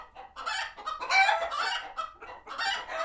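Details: Farm sanctuary chickens reacting to a hawk nearby; rapid, raspy clucks and cackles from several hens, a loud squawking peak in the middle and steady choppy calling throughout.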